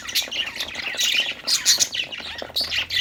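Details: Cheerful budgerigar chirping during play: bursts of squeaky warbles and sharp chirps from a few birds, rising and falling in loudness, over a faint hum.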